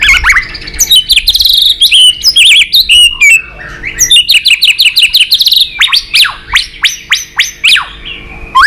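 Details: White-rumped shama giving a fighting song, flicking its tail to provoke a rival; loud, long-voiced song of rapid sweeping whistles and sharp chips, repeated in dense bursts with brief pauses between phrases.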